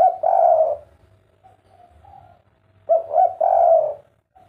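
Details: Two repeated phrases from a spotted dove in the kuk 3 style, each a brief stuttered coo followed by a long rich sustained coo, with faint softer coos between phrases.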